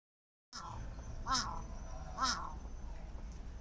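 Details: Large-billed crow calling in front of a favourite convenience store: two short, hoarse, arched caws about a second apart, over a steady low hum and a faint high whine.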